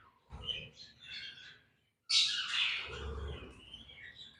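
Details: Budgerigar colony setup with chicks: soft chattering chirps, a brief silence, then a loud burst of raspy high squawking warbles fading into lighter chirps, with low background rumble.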